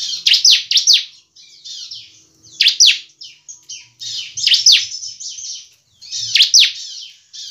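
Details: Bar-winged prinia (ciblek semi cristal) singing vigorously (gacor): bursts of sharp, high, downslurred chipping notes in quick runs, pausing between phrases, with a faint low hum underneath.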